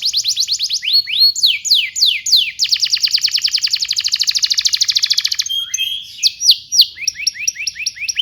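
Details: Canary song used as a training recording for young canaries: fast varied phrases of downslurred whistles, then a long rapid trill of identical notes, ending in sharp chirps and short rising whistles, high and bright throughout.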